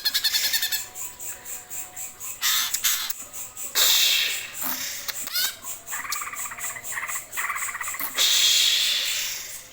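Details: Greater green leafbird in geroll song: a fast rattling trill at the start, then a dense, busy stretch of harsh buzzy notes, rasping bursts and chattering phrases mixed together at high pitch.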